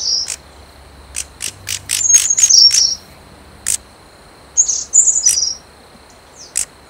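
Snowy-browed flycatcher giving very high, thin, squeaky notes mixed with sharp ticks, irregularly spaced, over a steady high insect drone.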